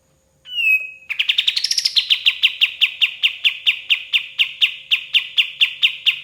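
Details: White-shouldered triller song for tutoring songbirds: an opening falling whistle, an accelerating trill that rises sharply, then steady repeated notes roughly three per second.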